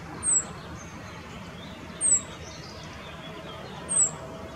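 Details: Rock bunting male with a grasshopper, Apolloweg trail at Valwig in the Moselle valley: three thin, piercing downslurred 'tsii' calls spaced about two seconds apart, with soft fainter notes between them.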